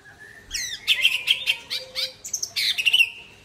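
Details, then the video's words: White-rumped shama, Aceh type, singing after its midday bath: a short whistle followed by a dense string of loud, high, buzzy and chattering notes mimicking other calls, ending in a sweeping whistle. "Murai Aceh # Mandi Siang muntah isian"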